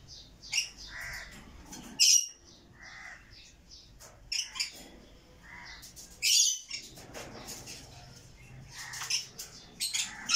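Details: Rainbow lorikeet squawks: harsh, shrill bursts scattered through the clip, the loudest two about four seconds apart, amid softer rasping chatter.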